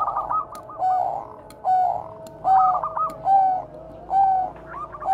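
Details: Bangkok zebra dove cooing used as a lure to train other doves: steady series of rolling purring coos nearly every second, alternating with fast stuttered notes, faint hum beneath.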